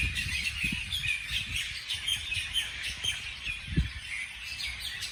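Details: Birds chirping on a beautiful morning: busy high tweets and short squawky notes overlap continuously, with a few low thumps and soft outdoor noise beneath.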